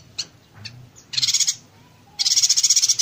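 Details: Yuhina in 'konslet tembakan rapat' style: a few faint high ticks, then two sizzling rattled bursts, the last one longer and very rapid.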